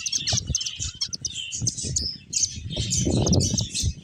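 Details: Several finches, at play, keep up a busy chatter of bright, clipped high chirps that overlap constantly, one drawn-out thin note standing out, while low rustling and fluttering noises run beneath.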